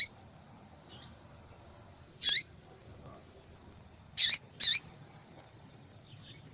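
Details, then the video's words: Female yellow-bellied seedeater calling to stir the male: a loud descending chip, then two quick sharp high notes close together, with faint softer notes at the start and end, quiet background. "Fêmea de Papa capim Chamando Para Esquentar Papa Capim"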